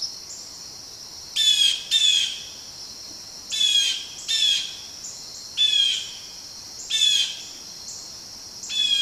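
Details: Blue jays mobbing a Barred Owl give harsh, raspy jeer calls in paired bursts about every two seconds, over a steady high insect hum.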